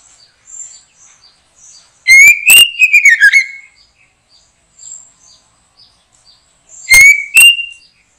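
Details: Backyard trapping of a white-rumped shama: faint high chirps, then a bold phrase of rising whistles ending in a rapid descending warble, and later two more loud upslurred whistle notes.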